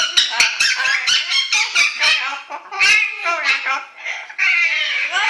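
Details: A yellow-naped amazon practises singing the pop tune "Little Apple" in a rough, human-like voice, with wavering phrases rising and falling in quick bursts, while dogs protest.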